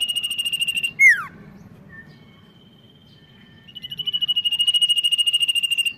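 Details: Common iora, a caged songbird from Indonesia's bird-keeping hobby, giving long steady trilled notes with rapid pulses, broken by a sharp descending whistle and a quieter thin tone before the trill resumes.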